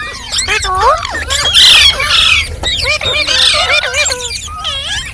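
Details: Green ringneck parrot chirping and squawking: harsh loud screeches mixed with curved whistled chirps and chattering squeaks, irregularly spaced.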